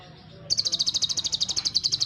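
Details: Brown-breasted ninja sunbird singing strongly: after a short quiet start, a fast, buzzy, high trill of about twenty rapid pulses runs steadily to the end.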